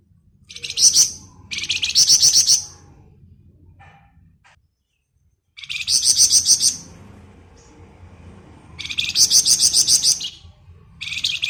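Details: Golden-bellied gerygone delivering repeated ngebren phrases, four or five intense, high, rattling-buzzy trills of about a second each, spaced by pauses of one to three seconds, with faint low background hum.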